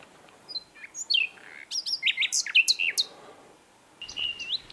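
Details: Asian brown flycatcher (sikatan londo) singing: thin high upslurred notes and scattered sharp chips build into a dense burst of varied squeaky notes, followed after a gap by a short wavering whistle.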